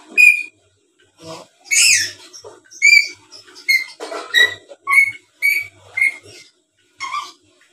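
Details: Tame black-capped lory, noted as a keen talker and chatterer, recorded as a lure to draw replies from other birds. It gives loud, clear whistled notes alternating with harsh, raspy squawks, about a dozen bursts in eight seconds.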